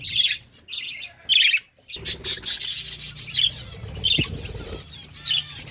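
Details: Eating budgerigar flock: scattered sharp chirps and squawks, with a long stretch of rubbing, scraping noise in the middle.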